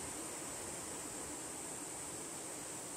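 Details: Continuous roaring hiss like running water or wind, with no animal calls.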